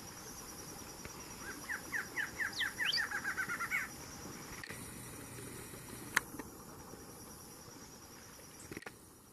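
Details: Barred antshrike at a newly documented southern range limit sings a loud, accelerating string of about fifteen nasal notes that tumble faster and end with a rising flourish, followed by quieter background hiss and faint insects.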